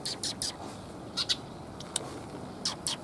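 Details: Sparrows gathering at a Tenmangu shrine on 30 October 2021, coming to be fed; short high chirps in small clusters, some doubled, scattered over a few seconds against steady low background hiss.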